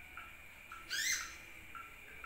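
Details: A sunbird gives brief, thin, even-pitched notes about half a second apart, broken by one sharp, bright burst of rising squeaky chips, recorded as a lure call.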